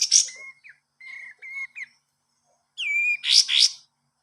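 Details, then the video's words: Kapas tembak cage bird song used as a master recording for training other birds: a few sharp high notes, short flat whistles near two kilohertz, then a bright whistled upslur and buzzy chattering bursts, separated by brief silences. "masteran burung kapas tembak bagus buat masteran burung"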